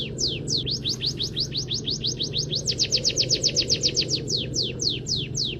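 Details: Munia (peking emprit kaji) in a canary-filled training song: quick series of high downslurred whistles that speed into a dense trill near the middle, then slow again, against a constant low background hum.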